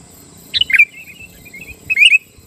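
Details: Sooty-headed bulbul song meant to rile rival bulbuls: a quick falling chirped phrase trailing into soft twittering, then a second bright warbled burst near the end, with a steady high insect-like hiss behind.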